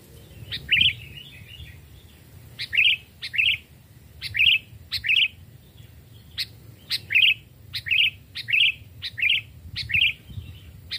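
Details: In a forest test of two kinds of captive sooty-headed bulbul, small and large, raised from chicks and two to three years old: a long run of about a dozen short bubbly notes, each sharply clicked, spaced irregularly.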